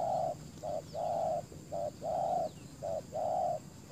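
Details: Spotted dove decoy cooing to attract wild doves. Alternating long and short mellow coos at a steady mid pitch, closely spaced, over a soft outdoor hiss.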